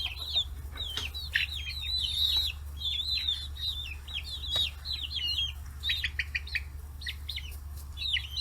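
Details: Young chickens, 40 days old and raised free-range in Kitahiroshima, Hiroshima, flock to fish heads. Rapid, sharp, high chirps come in quick runs from several birds, with a low background hum.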